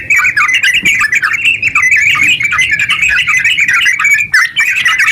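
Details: Rapid, long-running song of a yellow-vented bulbul, played to stimulate other bulbuls to sing. Jumbled, bubbly notes pour out steadily, with a short break after four seconds before the chatter resumes.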